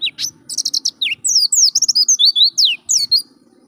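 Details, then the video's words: Pet-bird training song of an Oriental white-eye: a loud, nearly continuous chatter of sweet, high, twisting whistles and buzzy trills packed closely together, fading at the end; light low hum beneath. "Pancingan Suara Burung PLECI GACOR"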